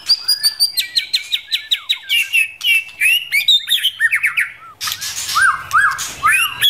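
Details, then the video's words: White-rumped shama from the forest, female urging the male to practise singing; quick train of about a dozen repeated clipped whistles, then varied rich phrases of slurred and rising notes, a short pause and a few clear looping whistles. "Chim chích chòe lửa rừng mái kích trống luyện giọng"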